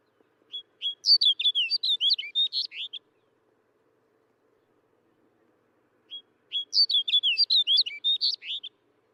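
Snow bunting singing two short, bright phrases of fluty, twittering warbled notes, each about two and a half seconds long, separated by a pause.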